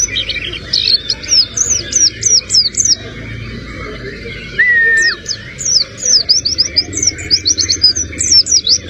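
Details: White-eye of the buxto type singing a song filled with sogon imitations: rapid bursts of high, sharp, slurred chirps repeated in quick series, with one lower drawn-out whistle midway, over a steady low rumbling background.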